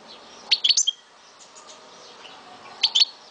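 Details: Pet European goldfinch from Souk Ahras, Algeria, giving two quick clusters of sharp high twittering notes with a short slurred whistle, separated by a gap of about two seconds, low steady background hiss.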